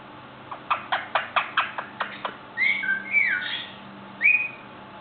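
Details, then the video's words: Young male Indian ringneck parakeet, five months old, kept as a pet and learning to talk, gives about nine evenly spaced clicking notes, then several clear whistled tones that rise and fall, ending with one short bright whistle. "INR making funny sounds and gives kisses!"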